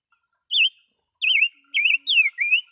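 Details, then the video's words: Caged songbird kept for two years, singing: a loud series of five short warbling whistled phrases, each wavering then dipping, separated by brief pauses, in an otherwise quiet background. "chim gũ sắc hót hay"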